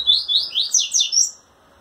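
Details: Double-collared seedeater male in captivity, courting a female and trembling its wings; a fast run of about seven high, rising and falling chirped notes lasting about a second and a half.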